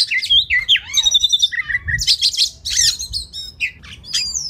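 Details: Oriental magpie-robin (kacer) masteran song meant to train birds for song contests: loud, varied phrases blending sweet whistles with harsh squawky, scratchy notes and quick chattering runs.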